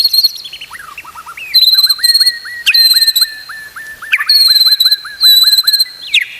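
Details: White-rumped shama song used to train other shamas: a steady run of short downslurred whistles repeated about three per second, overlaid by loud, high, sharply buzzing trills in bursts.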